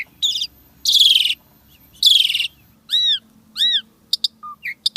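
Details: Asian pied starling giving loud harsh rasping bursts, then two clear arched whistles and a run of short sharp high chips, from a caged songbird recording of varied borrowed sounds.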